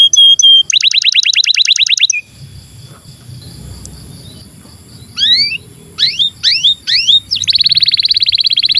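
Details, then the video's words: Long canary song, played as a master recording to train young canaries and birds that have stopped singing: a rapid trill of sharp notes, a short quiet gap, then separate down-slurred whistles and a closing buzzy roll. "SUARA BURUNG Kenari GACOR PANJANG"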